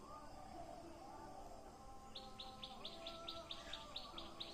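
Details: Rural Assam, India, with birds in greenery: after two quiet seconds a bird launches a steady string of bright high chirps, roughly four per second, above faint lower warbling tones and soft background noise.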